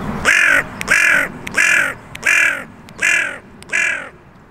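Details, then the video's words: A carrion crow in a park where five or six crow territories converge, with magpies about, gives six harsh, hoarse caws in a steady series, a little under one per second, with faint clicks between. "Park Crows with Cool Crow Sounds"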